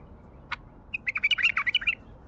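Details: Wild bulbul from Baghdad singing: after a single sharp click, a quick burst of about ten bright, chirpy notes tumbles out within one second, mid-to-high pitched and fairly evenly spaced, over a quiet background.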